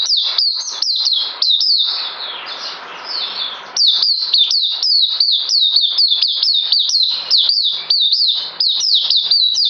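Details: Captive songbird, due soon for deworming, recorded 9 December 2018, singing a fast run of sharp whistled notes that slide downward. Each note repeats several times a second with brief pauses, and a softer blurred stretch comes near the middle.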